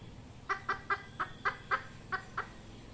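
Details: Red junglefowl hen calling, recorded as a trapping lure: eight clipped, throaty clucks spaced roughly a quarter second apart, fairly even in loudness, against a low background hum.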